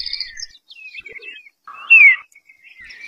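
An eastern bluebird sings soft, warbled phrases of short whistled notes around middle-high pitch, with one louder down-slurred note near the end.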